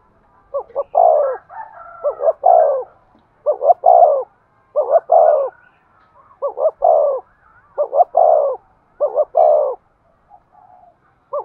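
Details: Spotted dove giving rapid decoy coos meant to draw in wild birds: about eight three-part phrases, two short notes and a longer one, delivered roughly every second with little pause.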